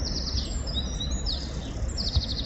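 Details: Male Eurasian Wren singing in breeding season in a small village near Abbeville, France, high rapid trills with thin whistled notes between, over a steady low rumble; males sing to lure females to their nest, often polygynous.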